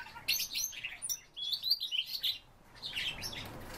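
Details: Siberian rubythroat pouring out a quick, high warbling phrase of bright twitters and squeaky whistles, a short pause, then another burst of chattering notes.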